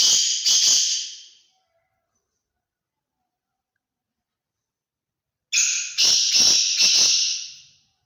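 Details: Large-sized Sindhi grey francolin gives two loud bursts of shrill, harsh, rapidly repeated notes, separated by several seconds of silence.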